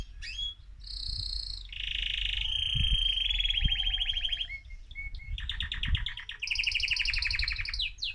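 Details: Excited male mosaic canary singing to stimulate other birds: rolling trills at varied pitches, a long buzzy rattle, then a higher, fast repeated trill, with faint low background rumble.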